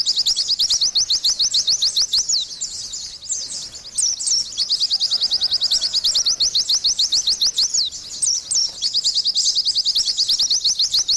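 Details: Long burst of vigorous Oriental white-eye song: high, thin rising chirps repeated rapidly in extended runs, with one quieter gap, then renewed dense chattering.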